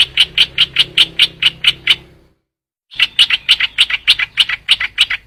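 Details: Trao trảo bird used to lure others: two bursts of quick, scratchy repeated notes with a short gap between them, the notes steady in pitch.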